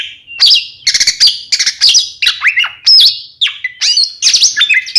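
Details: Kacer kembar lure recording of the Oriental magpie-robin, aimed at provoking rival birds to respond: quick stuttering chirps followed by bright, swooping whistled notes and scratchy flourishes in rapid succession.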